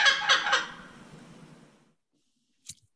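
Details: A kookaburra gives three quick, harsh, cackling laugh-like bursts that trail off over about a second, followed by silence and a faint click.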